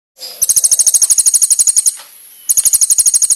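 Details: Brown-throated sunbird (konin) master song used for training, with rich fill and sharp, loud, clear 'shots': two rapid bursts of very high, even, ticking notes, about fifteen per burst, separated by a short gap.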